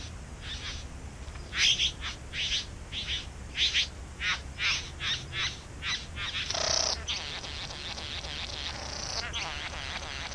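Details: Bowerbirds singing in a back yard where they nest: a quick run of about fifteen short rasping chirps, then a longer loud hissing burst followed by a dense crackling chatter.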